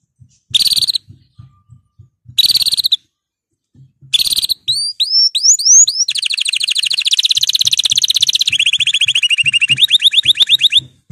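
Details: Male canary in breeding condition, excited, opens with two brief bursts and soft low ticking, then sweeping rising notes lead into a sustained fast buzzy trill shifting pitch several times.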